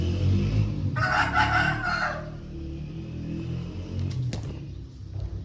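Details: A pure Lasani Aseel rooster gives one hoarse, rasping crow lasting just over a second, over a steady low rumble with a few sharp clicks afterward.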